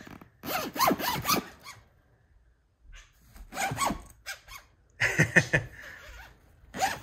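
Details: Pet male budgerigar mimicking the sound of a zipper: several raspy, pulsed bursts, each lasting about a second, separated by short pauses.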